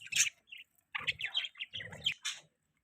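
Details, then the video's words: Budgie mating call: short bursts of chirpy, warbled twitter notes with gaps between them, a few high squeaks standing out, and soft low thumps under some bursts. "Budgies Mating Call"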